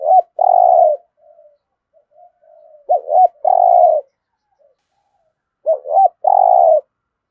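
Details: Spotted dove cooing in the full 'giọng thổ' song style, used to spur newly caught captive birds to coo and fight: three phrases, each two short looping notes then one long steady coo, with soft murmurs between.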